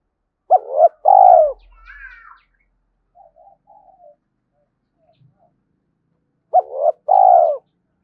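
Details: Decoy call of a spotted dove meant to provoke rival males: a hooked double note and a rolling low coo, brief high chirps from another bird, a quiet gap, then the phrase again.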